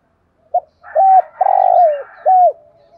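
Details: Decoy spotted dove giving one coo phrase in the 'giọng thổ' style, used to prompt wild doves to coo: a brief soft note, a level coo, a long drawn-out falling coo, then a final bending coo.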